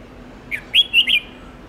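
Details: Red-whiskered bulbul song used to train young, white-cheeked birds to learn long multi-voice songs: a short whistled phrase of about four notes, a soft opening note and three loud, slurred, warbling notes. Faint background hiss.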